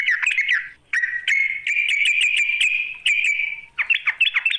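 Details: Sooty-headed bulbul challenging a rival: quick bubbly notes, then a long sustained buzzy chattering phrase, ending in rapid dipping liquid notes.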